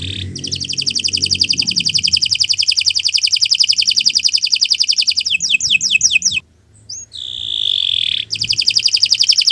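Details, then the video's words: Canary singing a long rolling trill of rapid high notes, then swept chirps, a brief pause and a single drawn-out whistle before the trill resumes; recorded as tutor song for training other birds. "Kicau Burung Kenari"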